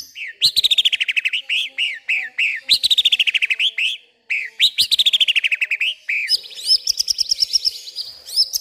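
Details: White-rumped shama singing agitatedly at night, pouring out its repertoire of imitated garden sounds: fast runs of sharp, repeated high chirps, each burst of a dozen or more notes, with brief pauses and a shrill buzzy trill near the end.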